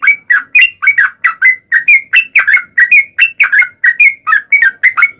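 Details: Rapid chain of bubbly, slightly whistled chirps from a sooty-headed bulbul, sung as a lure so that other bulbuls reply; notes come evenly, several per second, with no other clear sounds.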